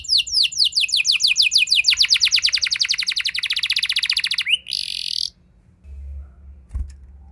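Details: Canary rolling song used as a lure to set other canaries singing: a fast run of descending sweeps that turns into a long, even high trill, then a buzzy burst before fading into quiet.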